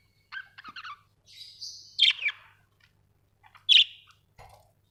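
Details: Budgies kept at home give scattered chirps: a squeaky trill, a drawn-out buzzy note, then a few loud sharp single calls separated by silences.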